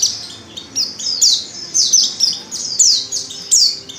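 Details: Female Oriental white-eye lure call aimed at making males sing: a quick run of high, down-slurred chirps, several per second in irregular bursts, clear above faint background noise.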